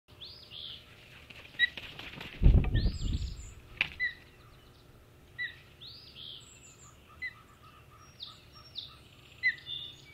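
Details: Wild male osprey at Hog Island on 17 April 2016, calling while looking for his mate: high, arched, whistled chirps repeated in short bursts, with a loud low rumble of wind or handling noise near the start.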